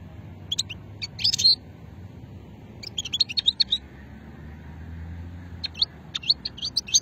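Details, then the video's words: Goldfinch of an old song lineage from Hammam Guergour in Sétif, 2020: two bursts of bright high twitters and liquid trilled notes separated by a quiet stretch, low hum underneath. "مقنين شتلة قديمة"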